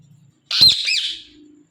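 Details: Indian ringneck parakeet on a Thursday night giving a single harsh, high squawk that starts abruptly, then trails off into a softer buzzy tail, with quiet surroundings.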